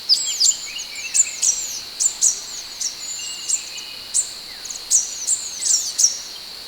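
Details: Sepah hutan (Scarlet minivet) song on a masteran tutoring track: sharp high notes, each trailing into a falling whistled slur, repeated about once a second over a steady high-pitched hiss.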